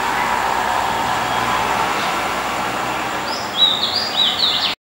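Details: A White-spotted Fantail (Rhipidura albicollis) sings at night in Dombivli town, Maharashtra, India, with a quick run of thin, high notes that rise and fall over a steady hiss; the bird is a Spot-breasted Fantail.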